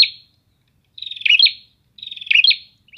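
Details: Prinias calling back and forth in a busy, cheerful scene. Two full buzzy phrases come about a second apart, each a rapid stuttering trill that breaks into sharp high notes, with the fading end of an earlier phrase at the start.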